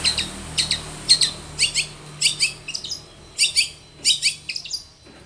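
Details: Long-tailed shrike singing vigorously in a lure sequence meant to make other shrikes sing: a steady series of harsh, scratchy, high notes sliding downward, about two each second, over a faint low hum.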